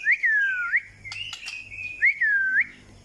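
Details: White-rumped shama whistling two matching phrases, each a sweet downward-curving slur that flicks up at the end, with a level, steady whistled note and a few clicks between them.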